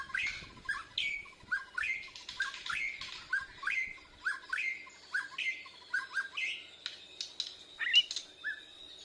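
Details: Young Bornean white-rumped shama practising song in reply to a lure recording. Clear rising whistled notes repeat about once a second over faint low background rumble, ending in mixed chirps.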